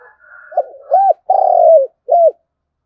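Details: Lure recording of a spotted dove's 'thúc gù' coo, thổ đồng voice, meant to draw replies from wild doves; soft lead-in murmur, an arched hoot, a long slightly descending coo and a short closing hoot.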